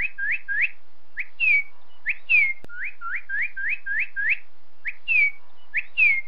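Northern Cardinal singing clear whistles: quick series of rising 'wheet' notes mixed with loud downslurred 'cheer' notes, repeated steadily.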